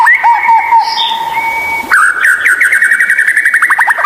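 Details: White-rumped shama song with rare, strange notes, played to coax lazy captive shamas into singing: a long steady clear whistle held nearly two seconds, then a fast rattling trill of short repeated notes.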